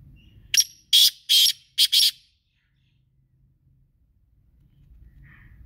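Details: Black francolin, kala teetar, giving a loud harsh burst of five grating, broadband notes over about one and a half seconds: a short first note, two longer rasping notes, a brief one and a final longer note. Then near silence with a faint distant chirp.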